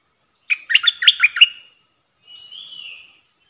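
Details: Bulbul used as a decoy, recorded 8 May 2021: a fast, lively phrase of six or so sharp chirps in under a second, then a pause and a soft, wavering, slurred whistle.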